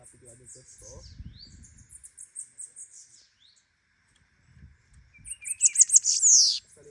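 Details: Bananaquit in full song: thin, very high wheezy twitters with brief sliding notes, a pause, then a loud, rapid buzzy trill. Faint low murmuring, possibly a voice, sounds early on.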